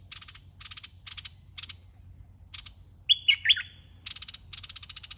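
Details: Caged decoy red-whiskered bulbul at a trapping contest; three loud slurred whistles a little past the middle, framed by short bursts of rapid buzzy clicking and a steady high whine.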